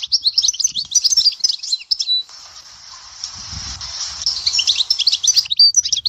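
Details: European goldfinch singing at Dahouara, Souk Ahras: fast, high, liquid twittering for two seconds, then a hissing gap with a low rumble, then the tinkling twitters return densely toward the end.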